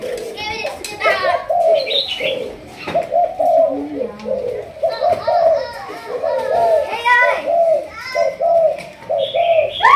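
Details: Caged Malaysian spotted dove of the thúc gù line, kept for decoy training, delivering a long run of low, mellow coos. Children's voices and high chirps sound over it at times.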